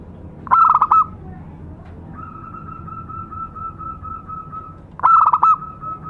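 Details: Lure song of a local zebra dove: two short bursts of rapid, rolling coos about four seconds apart. Between them runs a long, steady, even-pitched whistle lasting nearly three seconds, over a faint low hum.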